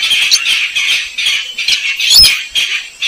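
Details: Slaty-breasted rail, called weris or sintar semak, in a recording used to lure it: continuous scratchy squawks in fast irregular pulses, one louder sharp note near the two-second mark.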